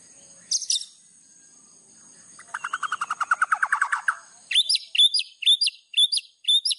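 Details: White-rumped shama master song for training birds, full of fill phrases: a brief high note, a fast buzzy trill of mid-pitched notes, then repeated sharp high chirped phrases.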